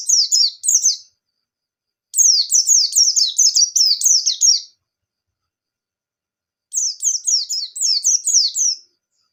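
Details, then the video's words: White-eye (pleci, 'bustomi' type) singing actively in the 'ngalas' style, used to lure and train other white-eyes into song: bursts of rapid, high, thin descending whistled notes, about eight per burst, separated by silent pauses. "Burung Pleci Gacor Ngalas Nembak"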